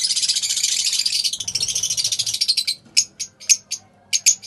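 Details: Pale fallow lovebirds give dense, high, scratchy chatter that fades into separate sharp chirps spaced about every half second.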